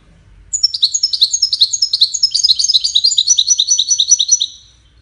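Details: Sustained goldfinch song for courtship and communication: around four seconds of unbroken, rapid, high twittering, with notes tumbling down in cascading musical phrases.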